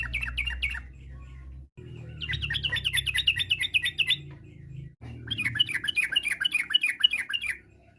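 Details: Yellow-vented bulbul singing energetically to draw replies from other bulbuls; three bursts of fast, bouncy, warbled notes in a rolling varied style, separated by brief pauses, over a faint low rumble.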